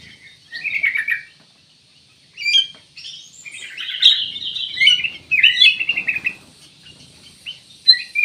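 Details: A black-capped bulbul sings scattered chirps and short phrases, then a longer, busy warbling passage of tumbling whistled notes.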